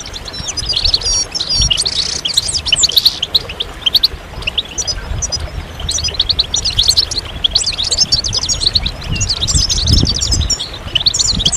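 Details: Goldfinches calling together to prompt males to sing and break their silence. Clusters of fast, high twittering phrases alternate with brief quieter gaps, with scattered low thumps and background noise.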